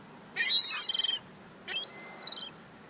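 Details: Young gulls fighting over crumbs: two loud, squealing calls, each about a second long, with a strained, ringing quality and a short gap between them. No other sounds are clear.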